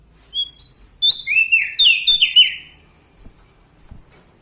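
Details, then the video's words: Loud, energetic Bar-winged prinia of Lombok origin, singing near bigger birds: a single bright phrase of rapid high whistles that step down in pitch and end in buzzy chattering notes, followed by faint low knocks. "Prenjak Daun Lombok gacor Mental Juara Nempel Sama Burung Besar Suara Nyaring"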